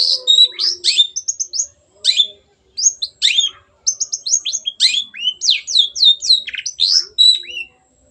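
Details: Long-tailed shrike in vigorous "gacor" song, offered as a lure to get other birds singing; loud rapid chatter of sharp whistles, descending slurred notes and harsh buzzy bits, delivered in bursts with brief pauses.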